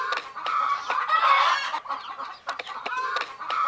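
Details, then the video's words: Sleepy hen chicks chirping in a dense, continuous chorus of overlapping peeps and trills, with a few sharp knocks or taps breaking through. "Fun Sleepy "Chicks Chirping" Sound of Gallina Babies"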